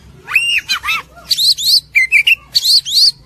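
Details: White-rumped shama singing loud, varied whistled phrases: arched slurred notes alternating with high rising and falling whistles in quick bursts, clear and dominant.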